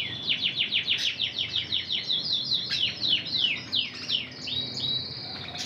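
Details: Intense red canary hen trained in the Spanish Timbrado style: rhythmic descending chips about three per second, then looping slurred phrases ending in a held high whistle.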